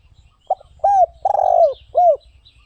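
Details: Spotted dove song: a short clipped note, then a smooth arched coo, a long purring rolled coo and a final clear falling coo, with soft low rumbling underneath.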